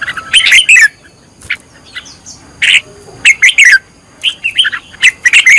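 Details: Red-whiskered bulbul in training as a singing decoy bird, uttering short loud chirpy phrases with sweeping whistled notes, separated by brief quiet gaps.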